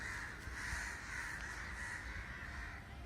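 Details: Flock of crows gathering together in unusual numbers, calling constantly; hoarse caws blend into an unbroken wall of sound for three seconds, with a steady low background rumble.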